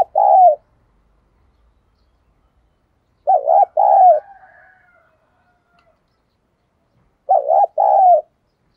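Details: Decoy spotted dove, 'thổ' voice style, cooing to lure wild doves into fighting; three repeated low hollow phrases roughly every four seconds, each a quick doubled note and a drawn-out falling coo.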